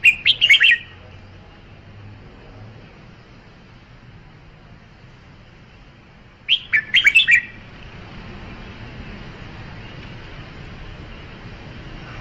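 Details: Red-whiskered bulbul giving two rapid warbling phrases of several bright whistled notes each, roughly six seconds apart, separated by quiet background hiss.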